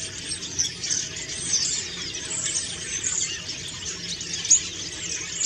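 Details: Common starlings giving autumn song while preening: a dense, continuous chatter of high squeaky notes, clicks and short whistles, with occasional louder sharp accents, no pauses.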